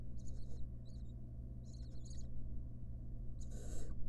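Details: Wild barn owl mother and nestlings in a monitored nest box. A few high chittering bursts are followed after a pause by one longer, rough, breathy rasp, all over a steady low hum.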